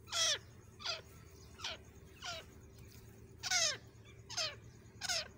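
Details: Female grey francolin calling, used as a lure for hunting: a series of shrill, sharply falling squeals, each sliding from high to low, repeated roughly every second over a steady low hum.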